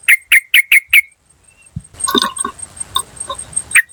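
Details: Lure recording of a wild yellow-vented bulbul: five quick, evenly spaced sharp 'cuk' notes in a fast run, then a pause followed by a softer jumble of chatter and a final single note.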